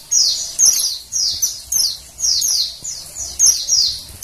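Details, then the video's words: Female Oriental white-eye calling, a sound meant to prompt males into singing. A quick series of thin, high-pitched descending chirps arrives roughly twice per second, each note sharp and brief, with nothing else clearly heard. "suara PLECI BETINA penggacor PLECI JANTAN"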